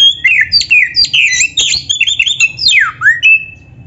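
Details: Vigorous, varied song of a black-breasted Oriental magpie-robin: continuous quick whistles, warbled slurs and sharp chips, ending with a long swooping downward-then-upward whistle and a short steady note.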